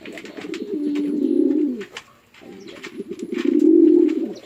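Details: A male and a female pigeon fighting at a Bangladeshi village farm in Chittagong: two long, steady, throaty coo bursts separated by a short quiet gap, with faint clicking behind them.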